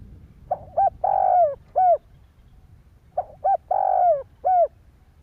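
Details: Spotted dove calling to stir other doves: two repeated phrases, each a short hoot, a quick note, a long sliding coo falling in pitch, then a final clipped coo.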